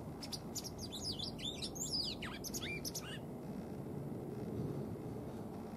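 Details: Tame white wagtail kept as a pet in spring, showing no sign of breeding: a quick flurry of bright, varied chirps and down-slurred twitters for about three seconds, then only a steady low room hum.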